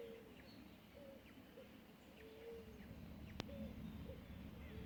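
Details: Birds on an early autumn morning in the countryside of central Buenos Aires Province, Argentina: soft, low cooing notes repeated at a steady pace, faint thin rising calls above, and one sharp click.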